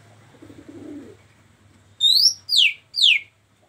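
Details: A female Oriental magpie-robin, said to be calling a male, gives three loud, clear whistles about half a second apart, the first rising and the next two sliding down, after a low hum and rumble.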